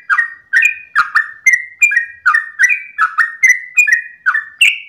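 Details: Sooty-headed bulbul 'ropel' song at dawn, a string of doubled whistled chirps dropping slightly in pitch, closely spaced and evenly paced, with a higher note closing the run.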